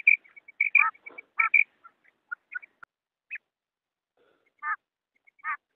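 Female quail calling in short, nasal, slightly rasping notes, about a dozen in six seconds at an uneven pace, with faint high ticks between them.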